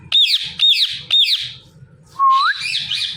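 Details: Natural calls of a female Indian ringneck parrot: three loud, harsh hooked screeches in quick succession, a pause, then a clear rising whistle that runs straight into a wavering raspy squawk.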